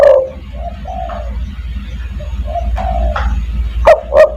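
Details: Cooing spotted dove, called to draw in other doves: a series of soft, mellow coo notes, then loud, sharp hoots near the end over a low background hum.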